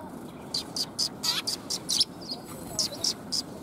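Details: Sparrows coming to get food, 20 March 2021: quick bright chirps repeated in a loose, fast series, one slightly downward-sliding note among them, over a low hiss.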